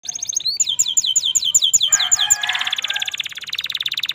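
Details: Canary singing in the afternoon in sunny weather: a quick series of high, down-slurred whistled notes, then a dense buzzy trill and a fast, steady rattling roll of repeated notes.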